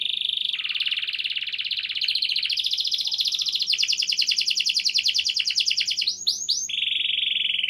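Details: Clear canary singing, meant to prompt stalled canaries to start: long unbroken buzzy trills that shift pitch and speed, briefly broken by two looping whistles, over a faint low hum.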